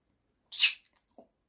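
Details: Baby pet pineapple conure gives a single harsh, high-pitched squawk lasting about a third of a second, followed by a faint low knock.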